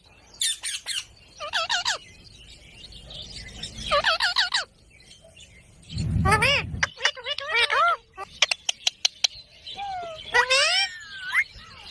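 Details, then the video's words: Green parrot giving scattered bursts of harmonic, nasal syllables, sharp clicks and a rising-then-falling whistled phrase, with a short low rumbling noise in the middle. "Parrot Talking video| Green Parrots moments"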